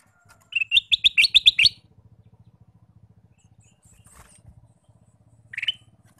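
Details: Male Ruby-throated bulbul singing all day, delivering a rapid chattering burst of about eight bubbly notes, then a soft ticking pulse and one more warbled note near the end.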